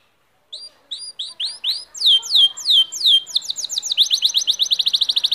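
Canary song: bright high whistled notes, first spaced and rising, then fast falling sweeps and a quick trilled rattle of repeated notes.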